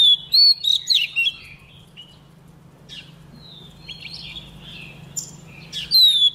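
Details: White-rumped shama song with a female singing to stir caged males: bursts of clear whistled notes and sharp chips around 1 second, softer scratchy phrases in the middle, a bright falling whistle near the end, over a steady low hum.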